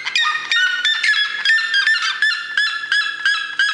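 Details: Red-legged seriema calling in a fast, loud series of strident, yelping notes with rising, nasal harmonics, delivered at a rapid and fairly even pace throughout.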